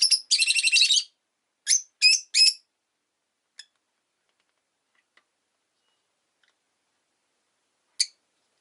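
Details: Rosy-faced lovebird chattering in a fast burst of rapid, rasping high chirps, followed by three separate shrill chirps, then mostly quiet with a faint tick and a final sharp chirp near the end.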